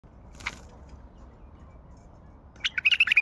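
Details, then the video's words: Wild Baghdadi bulbul singing: a lone sharp note, then after a pause a quick bubbly run of about six mid-high chirping notes, over faint background hiss. "تغريد بلبل وحشي"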